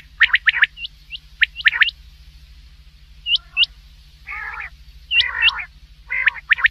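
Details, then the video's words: Common quail (batair) night call used for hunting: a quick run of sharp clipped notes and hooked whistles, then a pause and several rough growly phrases, over a steady low hum. "quail voice for night | Batair ki awaz"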